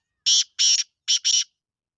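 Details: Black francolin, Sindhi lal potiya: a loud, crisp call of four rasping, buzzy syllables in two quick pairs, the second of each pair longer, with silence afterwards.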